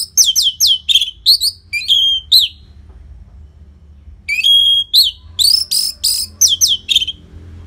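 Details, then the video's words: Orange-headed thrush singing loudly for luring stalled caged birds into song: rich phrases of falling slurred whistles and sharp chips, one long steady whistle, then more rapid varied notes after a short pause. "Pancingan & Masteran ANIS MERAH Gacor Jeda Rapet Suara Keras || Burung Macet Pasti Ikutan Bunyi."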